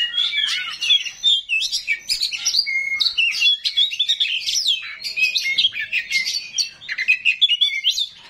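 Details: Small 'rawit' oriental magpie-robin delivering a coarse, fill-packed song to provoke replies from other magpie-robins: continuous rapid whistled slurs, trills and scratchy notes tumbling without pause, a short steady whistle near two seconds.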